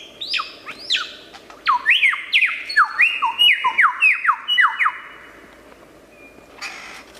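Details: Wild superb lyrebird in mimicry song: a rapid run of loud whistled notes, each sweeping steeply downward, about a dozen in quick succession, then the bird falls quiet and a brief noisy burst ends the passage.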